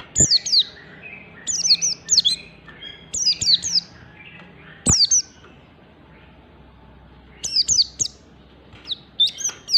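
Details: Oriental white-eye in standard ngalas style, used to get other white-eyes singing: clustered bursts of shrill, downward-sweeping notes in twos and threes, a quieter lull midway, then renewed bursts, with occasional thumps.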